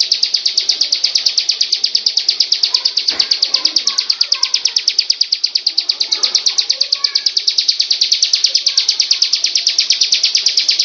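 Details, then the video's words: A Bar-winged Prinia (ciblek) gives a steady, high, rapid run of sharp chirps, about three each second, kept up without a break, with faint softer sounds beneath. "SUARA BURUNG CIBLEK"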